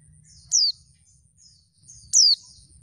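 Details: Female oriental white-eye calling to provoke males into answering and singing quickly, as in the wild. Two high, thin, sharply descending whistled notes about one and a half seconds apart, with low background rumble.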